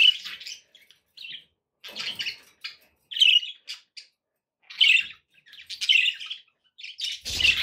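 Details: Budgerigars kept as pets chirping and warbling in short buzzy bursts about every second, some louder squawky notes among the chatter.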